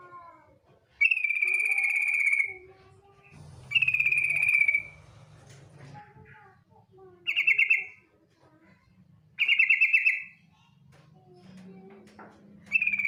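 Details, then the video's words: Female yellow-vented bulbul calling to the male in fast ngetir trills, played as a lure. Buzzy rattling trills of one to one and a half seconds repeat about every two to three seconds, separated by soft low murmuring. "TRUCUK BETINA memanggil JANTAN ngetir"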